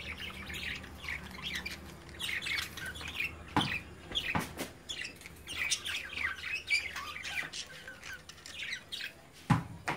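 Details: Young budgerigars playing inside a cage as the parent birds watch; a steady run of short, sharp chirps and scratchy squawks, broken by a few clicking knocks of movement.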